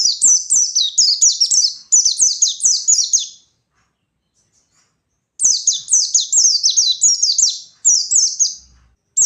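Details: Wild white-eye singing energetically to provoke rivals: high, rapid chattering phrases of downslurred sweeping notes, each phrase lasting about two to three seconds, broken by a long pause midway.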